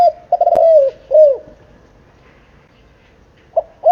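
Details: Spotted dove aged seven months giving 'kích bổi' style cooing: a run of soft, hollow, downslurred coos, a pause of about two seconds, then the phrase starting again.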